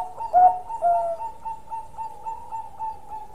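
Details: Zebra dove of the Bangkok type, singing actively with a long song: two soft, low rolling coos over a steady hum-like tone, then the tone continues alone.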